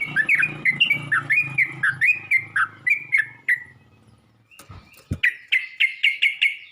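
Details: Yellow-vented bulbul calling to other bulbuls: a rapid chain of slurred chirps over a low hum, a short gap with a knock, then a fast series of short, clipped, higher repeated notes.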